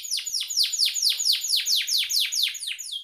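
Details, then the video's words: Canary song used as a lure to provoke a pet canary into singing: a rapid, high series of sharply descending whistled sweeps, about a dozen in three seconds, bright and ringing with no other sounds. "pancingan suara kenari biar kenarimu tambah Rajin Gacorrr!"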